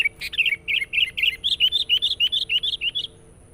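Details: Vigorous sooty-headed bulbul lure song: a fast chattering run of about fifteen bubbly, wavering notes over three seconds, then stopping abruptly.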